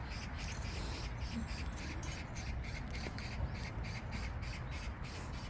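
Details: A magpie in a garden in Sokcho on a frosty late-October morning gives a rapid series of harsh, rasping chak notes, several per second, over a steady low rumble of wind or handling noise; called a sign of good luck. Oriental magpie.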